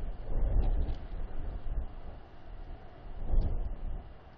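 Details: Low rumbling noise swells and fades twice, like wind or handling on the microphone, with no clear animal voice.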